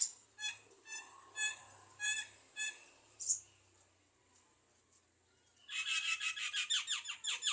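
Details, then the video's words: Javan myna in full voice, a talking bird said to imitate speech and a man's coughing: a series of short harsh harmonic notes about twice a second, a pause, then a loud rapid pulsed rattling burst. "Jalak kebo gacor bisa ngomong / Cewek Emak Ngopi Batuk Bapak"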